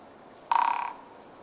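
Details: Japanese pygmy woodpecker (Dendrocopos kizuki) drumming, recorded close on 8 March 2014, the drumming loud but a little slow: one short burst of about a dozen rapid, resonant taps lasting under half a second, fading toward the end, over a quiet background.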